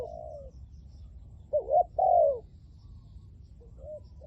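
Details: Spotted dove used as a decoy to lure wild doves during trapping; a short wavering note followed at once by a longer falling coo, with a quieter coo at each end, over low rumbling background.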